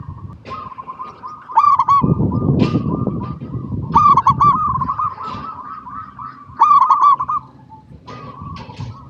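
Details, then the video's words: Local zebra dove song, recorded as a lure to set other zebra doves singing: loud bursts of three or four quick looping coos near one pitch, with softer overlapping cooing throughout and low rumbling noise in the middle. "PERKUTUT LOKAL GACOR PALING DISUKAI 🐦 Suara Asli Bikin Semua Perkutut Dimanapun Pasti Nyaut"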